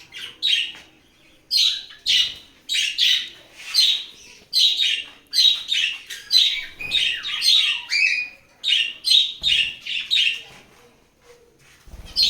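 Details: A breeding pair of budgerigars chatter in quick, high, scratchy chirps and warbles, nearly without pause.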